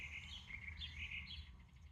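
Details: A House Wren, one of a pair returned to a garden in Pennsylvania and checking out a nest box used by wrens every year for 30 years, sings a quick, bubbling run of high chattering notes for about two seconds over a low rumble.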